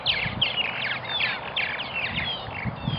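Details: Purple martins calling at a nesting colony in Melbourne, Florida: many overlapping chirps, gurgles and short rising and falling notes, a continuous busy chatter with outdoor background noise.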